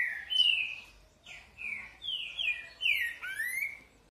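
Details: Green-winged Saltator (Saltator similis) song: a rich run of loud whistled phrases, each slurring down or up, about six notes in four seconds, over a quiet background.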